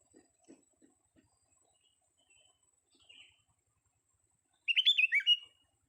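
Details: Young sooty-headed bulbul in a vocal test: after soft low tapping, one loud burst of bubbly, warbled whistled notes lasting under a second near the end.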